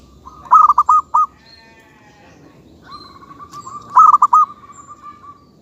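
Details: Local zebra dove: loud, clear bursts of rapid staccato coos, then a long level purring trill, and another burst of stuttered notes.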